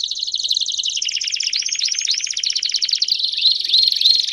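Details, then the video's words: Belgian canary delivering a continuous rapid trilled song, buzzy and rolling, with a few rising slurred whistles near the end. "Canário Belga Cantando Estourado"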